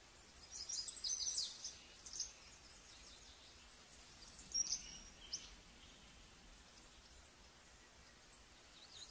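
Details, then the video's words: Olive-backed pipit giving thin, very high, slightly buzzy notes in short bursts a few seconds apart, over a soft steady outdoor hiss. "Olive Backed Pipit"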